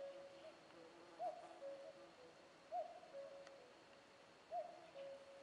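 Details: Distant common cuckoo repeating a soft, hooting two-note cu-coo, falling in pitch, three times at intervals of about one and a half seconds over a quiet hiss.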